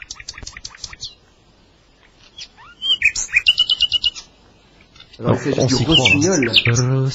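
A Common Nightingale sings a rapid run of repeated notes, then pure whistles, a rising slur and a fast rattling trill. A man starts talking over the last two seconds.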